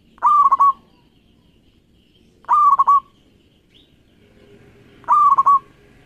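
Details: Local Indonesian zebra dove (perkutut lokal) singing its cooing song, used as a lure to stimulate other doves; three phrases come about every two and a half seconds, each a rising coo breaking into quick rolled notes, background quiet.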